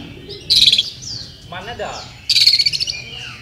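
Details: Oriental magpie-robin (Copsychus saularis), a champion-class contest bird at a 2018 songbird competition in Sri Aman, Sarawak, Malaysia, sings two quick bursts of high, rapid trilled notes with a lower, harsh rasping phrase between them.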